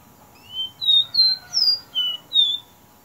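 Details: Capped seedeater giving its common song: a phrase of six clear, high whistled notes, some rising and some falling, delivered at a steady pace with short gaps between them, over a quiet background.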